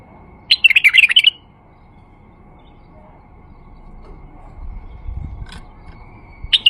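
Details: Lure song of a male White-eared Bulbul for drawing in bulbuls: a single lively warbled phrase, then a long pause with faint low rumbling before the next phrase begins.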